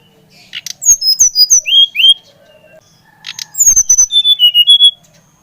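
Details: Brown-chested jungle flycatcher, Bali type, singing loudly to stimulate a young bird: a quick descending series of sharp whistles, a brief pause, then a second run of even whistled notes.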